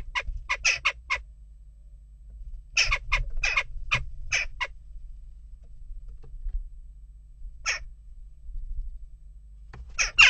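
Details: Jackdaws at a nest box during unrest: a quick group of four clipped, harsh calls, a second cluster a few seconds later, scattered single chaks afterward, and a loud burst at the very end.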